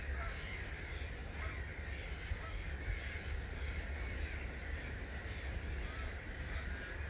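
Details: Roughly 250,000 starlings lifting from a roost at Gibraltar Point NNR at 05:45 on 21 March 2022, a pulsing mass of chattering and whistled notes above a steady low roar.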